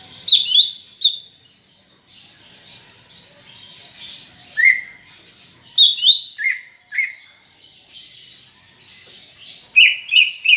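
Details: Greater green leafbird singing loudly, a captive bird used to prompt other birds to sing: sharp descending whistles, trills and chattering notes in bursts, with a steady high hiss behind.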